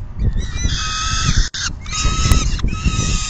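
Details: Peregrine falcon feeding at the nest, afternoon of 10 June 2022. Raspy, harmonic wails run continuously, broken by one abrupt silent cut midway, against constant low-pitched wind noise.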